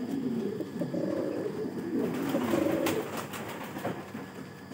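Pomeranian Pouter pigeons cooing in low, throaty, overlapping rolls, several birds at once in a small enclosed space.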